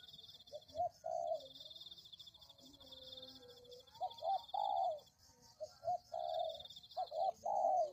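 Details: Spotted dove lure call. Scattered coos at first, then clearer groups of short hooked notes ending in longer downslurred coos. A weak low tone is heard in the quiet middle, with high buzzing behind.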